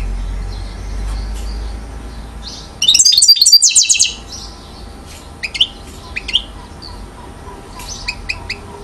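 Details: European goldfinch, one year old, called acrobatic, at Mouzaia, Algeria, 2012: after a quiet start, a sudden second-long burst of bright jangling twitter, followed by scattered sharp high chips and short notes.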